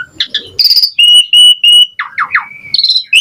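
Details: Asian pied starling singing a lively, varied song in the gacor mompa style with rich variation and full fill-ins: short chirps, a buzzy high note, three level whistles, then quick downward slurred notes and rising whistles.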